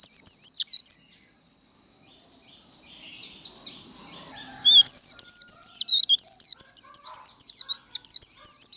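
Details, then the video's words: Contest-style líu song from a Japanese white-eye in training. Quick high chirps open the recording and give way to a pause with faint background noise. Then a fast, uneven string of sharp looping notes returns over a thin continuous whine. "Vành khuyên líu đấu | SIÊU HAY Khuyên líu kích bổi | Kích lửa vành khuyên líu đấu"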